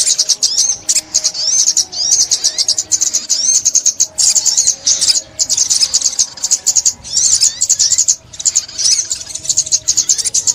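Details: Sunbird singing, recorded in 2021: long stretches of rapid, very high twittering and tinkling trills, with a few slurred upward sweeps. Short silent gaps split the song into bursts.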